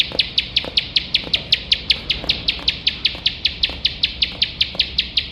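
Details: Nonstop 'nembak' singing of a bar-winged prinia, recorded for training competition songbirds: bright, evenly spaced high notes, roughly four each second, with soft low ticks in the background.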